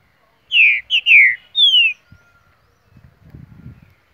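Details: A two-year-old green-winged saltator in Mar de Espanha, Minas Gerais, gives four loud, clear whistled notes that slur downward over about a second and a half, followed by soft low rustling.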